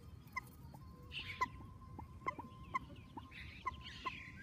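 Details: Peeping of common moorhen chicks: brief, bright notes spaced about half a second apart, with soft rustling bursts and low background noise.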